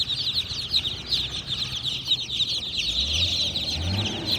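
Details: High peeping from a group of baby chicks continues throughout in quick overlapping chirps, while a low droning sound rises near the end.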